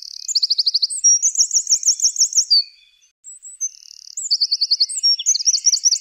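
Wren song: loud, high, rapid trills and sharp notes, with fast rattling runs, a brief pause, then another burst.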